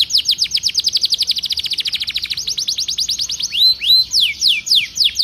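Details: Canary song played to prompt a silent canary into singing: a long, fast trill of identical down-slurred whistled notes, about eight per second, shifting into slower, fuller swooping whistles near the end.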